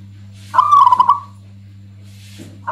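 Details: Local zebra dove sounding one strong trilled, bubbling coo, its loud song said to make other doves angry and to serve as a lure, followed by quiet hum and faint hiss.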